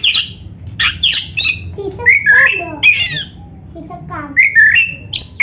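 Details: Black-breasted oriental magpie-robin (kacer dada hitam), caged, singing to prompt other birds. Harsh, scratchy high bursts mix with slurred descending whistles, delivered in irregular phrases with short pauses.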